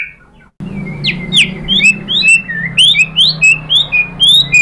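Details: High, sharp white-rumped shama notes in quick succession, about two a second and varying in pitch, sung as a lure to make other birds answer, over a low background hum.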